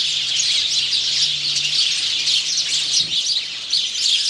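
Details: Singing male House sparrow, 17 November 2009: rapid, crowded chirps run without a break, dipping slightly in loudness near the end, over a faint low hum.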